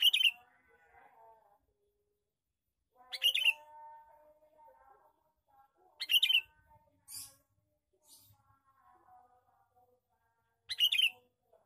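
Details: Lure calls of a male sooty-headed bulbul: four loud, bubbly chattering bursts spaced about three to four seconds apart, with faint softer chirps and tones in between.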